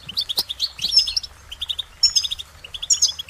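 A goldfinch sings a fast, tinkling run of high twittering notes and bright trills in repeated bursts, with thin, sharp whistles mixed in.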